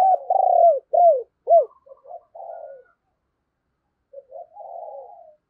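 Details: Decoy spotted dove giving rapid urging calls and coos to lure wild doves; low arched hooting notes in quick succession, then softer, hoarse, drawn-out coos, a pause, and a final rising-falling coo phrase.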